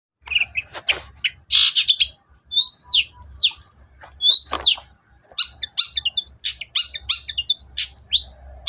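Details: Long-tailed shrike in energetic song, played as a lure to make reluctant birds answer and sing: rapid chattering notes, harsh bursts and high slurred whistles in quick succession with short gaps, faint low hum beneath.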